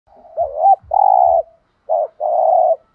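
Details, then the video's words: Spotted dove song: two low hoarse cooing phrases, each a short rolling note followed by a longer steady purring coo, close and clear with a few faint low knocks. "cu gay tho đồng thúc gù/ chim cu gáy giọng thổ đồng chuẩn nhất"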